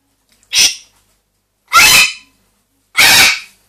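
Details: Pet parrots indoors, a two-year-old grey parrot and a one-year-old Amazon parrot, screaming: three harsh, loud, noisy screeches roughly a second apart.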